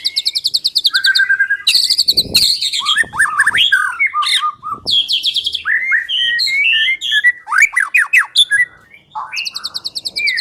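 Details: White-rumped shama song used as a lure to make the bird sing: rich, varied phrases mixing rapid repeated high buzzy notes, whistled slides and sharp chattering bursts, closing with a fast trill series.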